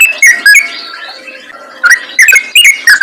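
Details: A yellow-vented bulbul in lively 'gacor ngalas' form, its song a lure for other bulbuls: a few quick chirps open the clip, then a quiet gap, then a fresh run of sharp, bubbly notes.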